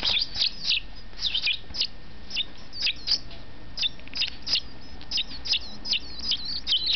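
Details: A captive-bred baby European goldfinch, born 27 May 2008, begs while being fed with rapid, high, scratchy chirps, several each second, over a low background hum.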